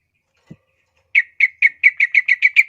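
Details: Yellow-vented bulbul in full, lively song, kept as a master recording for teaching young birds: a soft thump, then a run of about nine short, bright chirping notes repeated in quick, steady succession.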